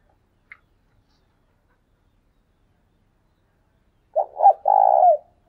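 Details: A decoy spotted dove calling in the 'thúc sung' style. After near silence and a brief high tick, one low cooing phrase arrives: two quick clipped notes, then a drawn-out, throaty, trembling coo.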